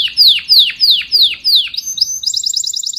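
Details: A canary sings to call its flock: five quick, loud downslurred whistles, about two per second, then a rapid, very high rolling trill.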